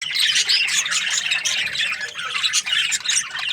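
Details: Several budgies chirping and squawking together in a continuous, dense high chatter, with rapid overlapping notes and no pauses.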